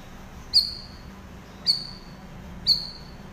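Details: Master song of a chatty cucak rawis for training silent cage birds: three crisp high chirps, each sliding down briefly, about one per second.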